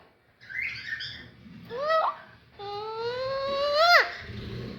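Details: Alexandrine parakeet talking indoors: a rough chattering start, then a short rising note and a long strongly harmonic drawn-out call that climbs and ends in an abrupt sharp drop, followed by soft background noise.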